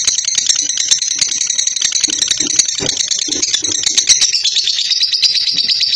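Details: Caged female lutino lovebird, a fighter-type bird, giving long chattering trills. The sound is loud, dense and harsh, made of rapid rattling notes held without a break throughout.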